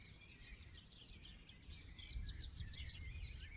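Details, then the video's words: Forest birds singing in an overlapping chorus of quick chirps and twittering trills, several voices at once, over a steady low rumble of background noise. "2 HOURS SINGING BIRD SOUNDS FOR RELAX"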